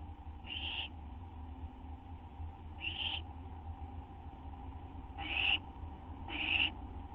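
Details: Owls at their nest on 6 September 2011 just after midnight while food is delivered; four short raspy hisses, two widely spaced, then two closer together, with a background hum throughout.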